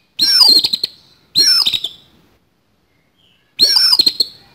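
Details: Fighting song (kacer tarung) of an oriental magpie-robin with a rough, coarse fill (isian kasar), used as training to keep it singing. Three loud, harsh, grating bursts, the first two close together, then a gap before the third.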